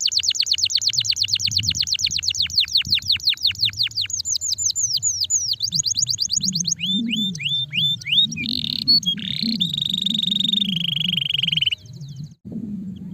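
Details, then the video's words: Canary song used to stimulate a sluggish bird: rapid repeated downward-sweeping chirps in fast trills, shifting to rising notes, then buzzy held tones and a sustained high whistle; low background rumble. "Quick to stimulate the sound of the sluggish canary"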